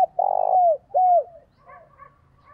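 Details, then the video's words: Decoy spotted dove calling to draw in wild doves, giving a low, rough rolled coo followed by two smooth, downward-slurred notes. Softer twittering from other birds follows. "chim cu mồi gáy chuẩn kích bổi, rất nhiều con bổi đã nổi nhờ nghe tiếng này"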